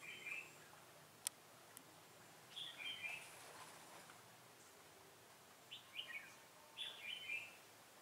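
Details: Decoy red-whiskered bulbul singing at a trap to lure wild birds, November 15, 2017: brief chirpy whistled phrases, one early, then a pair mid-clip and a rapid cluster near the end, with a sharp click.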